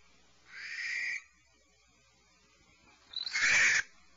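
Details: Barn owl at 04:20 PST giving two rasping screeches. The first is softer and more tonal, and the second is louder and harsher, with a short silent gap between them.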